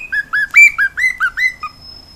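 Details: Cockatiel kept at home gives eight quick, short chirped whistles in a fast even row, alternating slightly higher and lower, before fading out.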